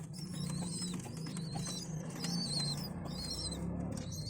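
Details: Baby pigeons fed by adults give rapid high squeaks in clustered bursts, partly covered by a steady low humming drone.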